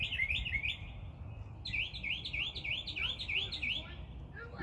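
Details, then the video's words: A bird singing every morning from high up in a tree: a series of quick rising, looping chirped phrases repeated about three times a second, with steady low background rumble throughout. "Birds Annoying Chirping"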